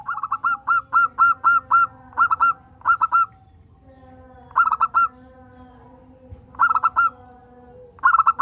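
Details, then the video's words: A local zebra dove's song played to encourage other doves to sing. It is a long run of bright, bouncing coos in quick groups of two to six, then a pause and further short bursts of coos. "Pancingan perkutut agar bunyi"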